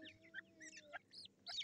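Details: Black francolin chicks squabbling as they fight, 18 July 2024. Thin high squeaks and short rising chirps come in quick bursts, with one louder piercing squeal near the end, over a faint background hum.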